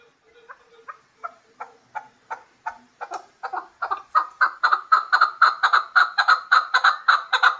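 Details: Hybrid chukar partridge giving a rhythmic series of harsh clucking notes that start sparse and quiet, then speed up and grow louder into a steady rapid chatter, about two notes per second.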